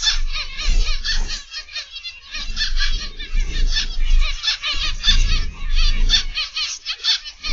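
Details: An aviary flock of zebra finches on an October 2021 afternoon keeps up a steady stream of bright, nasal beeps and chattering notes from numerous birds, with occasional soft thuds and a low background rumble.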